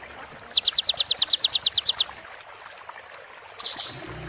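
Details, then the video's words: From a kolibri ninja sunbird tutor recording for moulting birds: a thin descending whistle leads into a rapid, regular run of high clicking notes, followed after a pause by a short harsh note. "MASTERAN KONIN FULL ISIAN ROLL TEMBAK"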